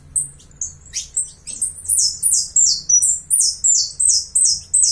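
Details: Uruguayan saffron finch singing: high, sharp chirps opening into a fast, continuous run of bright, slurred, buzzy notes repeated about three times a second, with a faint low hum underneath.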